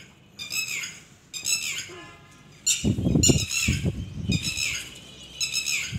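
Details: A Red-wattled Lapwing with its chicks and egg gives loud, harsh, strident calls in repeated bursts.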